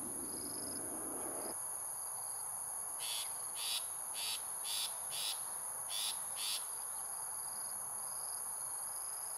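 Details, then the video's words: Rough, gruff calling of a Long-tailed Shrike in Singapore, where it is an uncommon resident: about seven short raspy bursts in quick succession midway through, set against continuous shrill insect tones. "Bird Call: LONG-TAILED SHRIKE - Adult vs Juvenile"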